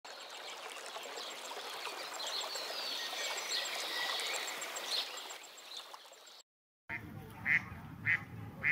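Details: Mallard by the Vistula River, Poland, on a snowy winter day, giving three loud, nasal quacks about half a second apart near the end, after several seconds of steady rushing water and wind.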